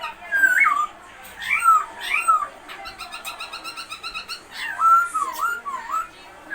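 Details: Caged masked laughingthrush giving looping whistled phrases that dip and rise, with a rapid rattling chatter in the middle of the sequence.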